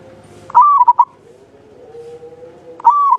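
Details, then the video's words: {'caption': 'Zebra dove of Javanese local stock, used to prompt other birds, delivering one clear rolling coo phrase with stuttered notes, then starting another after a low hum.'} "Perkutut lokal jawa gacor buat pancingan suara panjang bening"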